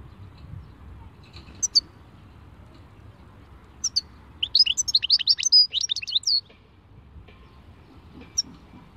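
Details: European goldfinch singing khalwi style: a few sharp lead-in notes, then a dense two-second flourish of high, rapid, rolling twitters and slurred chirps, ending with an isolated note.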